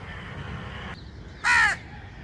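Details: A crow gives a single harsh, nasal caw, short and slightly falling, after a stretch of quiet background hiss with a faint steady tone.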